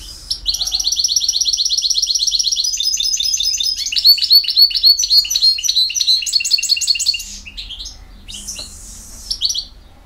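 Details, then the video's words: A European goldfinch delivers campero song: a long, even trill of rapid notes, about four each second, breaking into varied metallic twitters before fading into quiet background. "El Jilguero BiH 15"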